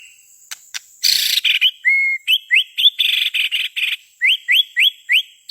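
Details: White-rumped shama song used as a lure in the forest: after a rough burst, clear upslurred whistles repeat about four times a second over a steady thin high whine.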